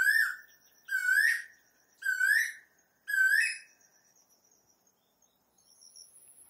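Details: Asian koel, male and female, giving four strong rising whistled calls about a second apart, then falling silent, with only a faint high hiss after the calls.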